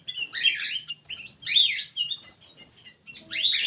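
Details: Lure call of a black-crested bulbul: dense, loud, bubbling whistled phrases rising and falling, repeated in three bursts with a faint low hum underneath.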